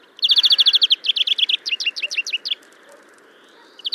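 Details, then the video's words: Greenfinch song from Kholm, Russia, in April: a fast trill of about twenty bright notes that slows into spaced double chirps, a faint drawn-out note after, a new trill beginning at the end. "Обыкновенная зеленушка Chloris chloris, песня / European greenfinch song"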